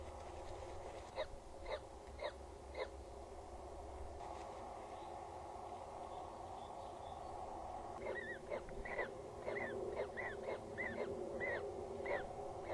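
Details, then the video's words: Peregrine falcon chick heard in the nest on the Axel Tower in the Netherlands, 14 April 2019 at 19:07: scattered short rasping notes at first, then a livelier run of quick down-slurred calls over constant low hum. "Is there already a chick?. We hear him"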